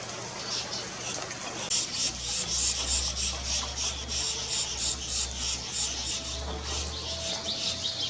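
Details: Striated swallow recorded on 19 May 2024 at Lugu, Taiwan: rapid, thin, high chirps, several a second, in a steady twittering stream over broadband hiss and a low hum.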